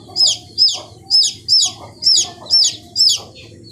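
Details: Fifteen-day-old chicks peeping at a steady, slightly slower pace: seven clear, high, downward-slurred cheeps about half a second apart above low background hum.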